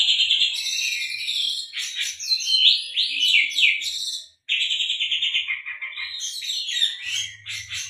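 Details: Oriental magpie-robin song mixing in canary-like phrases, used to prompt other birds to sing: varied, high whistled notes and quick rising and falling twitters, a short silence midway, then further rapid trilling phrases.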